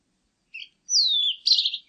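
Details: Blue-and-white Flycatcher: a soft short note, then a long high whistle sliding downward, ending in a buzzy, slightly rasping burst, recorded cleanly with no other sounds.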